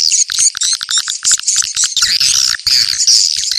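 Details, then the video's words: Location-check swiftlet calls meant to lure swiftlets quickly to a site: a quick series of clicking chips followed by continuous, shrill, overlapping twittering chatter. "Suara ceklok burung walet"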